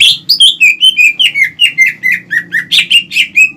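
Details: Greater green leafbird song used to provoke rivals, whether adult or young birds: about fourteen bright whistled notes at a fast steady pace, each dropping slightly in pitch, over a low steady hum.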